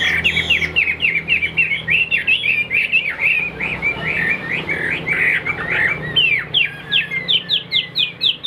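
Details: Tam hoàng hwamei singing in its cage in the afternoon, said to be short of full strength: a continuous rapid stream of bright whistled notes, slurred and choppy, ending in evenly repeated sweeping whistles.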